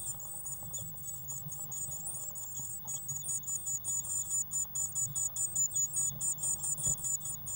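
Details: Nestling Eurasian blue tits inside a nest box, 1 June 2016, growing fast: a dense, continuous chorus of shrill high-pitched squeaks, rising into strong pulsed bursts toward the end over a low hum.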